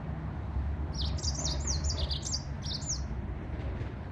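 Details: Yellow-fronted canary song of bright, high whistled notes, each rising then dropping in quick succession for about two seconds, ending in a few fainter notes. A steady low mechanical hum runs underneath.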